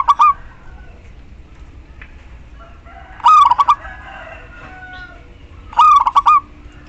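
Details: Female local zebra dove calling a male, used to coax silent males into song: the tail of one coo, then two full rippling coo phrases about two and a half seconds apart, with faint background bird notes.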